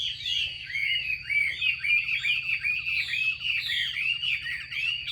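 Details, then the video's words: Chinese hwamei, a female calling to prompt a male's song: continuous quick slurred warbles and chattering notes rising and falling, fairly even in loudness, with a faint steady high tone. "Tiếng chim mi mái xùy kích trống"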